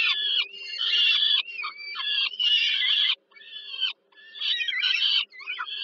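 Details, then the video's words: Young peregrine falcons begging while the mother feeds them at evening dinner, Żerań, Warsaw, Poland, July 2022; rasping, strained screams in bursts of about a second, separated by brief silences, over a constant low hum. "Sokół wędrowny Warszawa, Termika Żerań (PL)- kolacja, Nela karmi maluchy"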